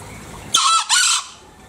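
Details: Green junglefowl in Bali crowing: an abrupt, shrill two-part burst, a harsh first syllable then a slightly longer scratchy second note, well under a second in total, over quiet background hiss.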